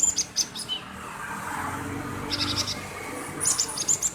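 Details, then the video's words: Male cinereous tit, chattering as a lure to provoke other birds into singing: short high thin chirps in small bursts at the start and end, with a soft hiss of background noise in the middle. "Gelatik Batu Jantan Gacor - Pancingan gelatik batu || CHIRPING SOUND ||"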